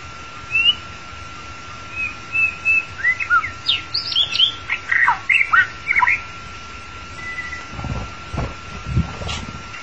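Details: Long-tailed white-rumped shama singing, a recording meant to attract and trap the bird: soft opening whistles give way to a rapid string of sharp, varied notes and squeaky trills, ending with faint rustling.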